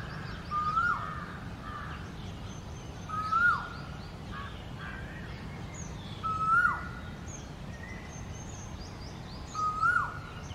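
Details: Male Asian koel singing from a ficus tree in its territory in India as the summer breeding season approaches; four rising whistled notes spaced about three seconds apart, each ending in a quick drop, with faint higher bird calls behind.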